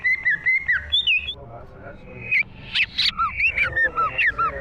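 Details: Green leafbird song from 2023: a few slurred whistles, a noisy break with a couple of sharp high notes, then a quick sequence of rising and falling whistled notes.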